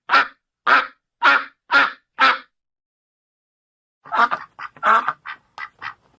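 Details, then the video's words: Duck giving a laughing call: five loud, harsh, evenly spaced quacks about half a second apart, a pause, then a faster, broken run of shorter quacks and chuckling notes, with no other sounds. "Laughing Duck"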